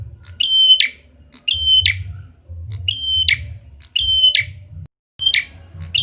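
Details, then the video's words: Red-headed prenjak prinia lure sound with a level whistled note that snaps into a harsh buzzy burst, repeated about once a second, six times, against a steady low-pitched hum. "SUARA PANCINGAN BURUNG PRENJAK KEPALA MERAH"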